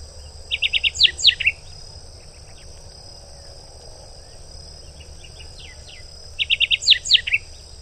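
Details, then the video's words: Rusty sparrow heard at moderate distance: two bursts of rapid chattering chips, each around a second long and about six seconds apart, over a constant high insect hum and low background rumble. "O canto do Tico Tico avermelhado"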